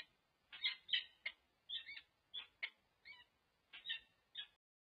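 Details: Peregrine falcon calling during pair-bonding at UC Berkeley, 26 November 2023: spaced harsh, squeaky double notes, somewhat distant, about three per second before stopping.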